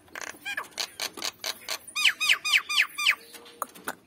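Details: Male and female Nias hill myna calling: clicking notes, then a series of five loud rising whistles about a quarter second apart, with faint clicks after.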